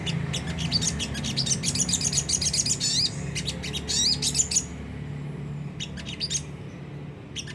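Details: Sunda whistling thrush in rough twittering ngriwik kasar style, played to spur caged birds into song; fast thin chirps and trills for about four seconds, then scattered single notes over a low background hum.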